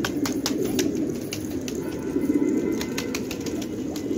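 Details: Flock of fighting pigeons in an Afghan village at Khanabad, their deep overlapping coos forming a continuous rumble, louder bursts near the start and middle, with frequent sharp clicks and wing claps.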